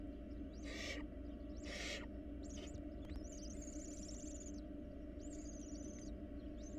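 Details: Barn owl nestlings, wild, playing inside a research-monitored nest box. Two rasping hiss bursts about a second apart are followed by thin, high, wavering twittering notes, all over a constant low background hum.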